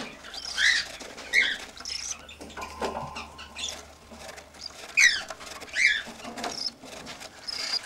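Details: A two-week-old cockatiel chick, eyes open and pin feathers showing, gives raspy, wavering calls in short bursts with quiet gaps between.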